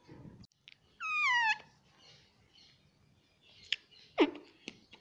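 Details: Pet parrot talking, saying "mummy": one loud, clear, harmonic phrase that falls in pitch over half a second, later a sharp downward-sliding squawk and a few softer clicks, in a quiet room.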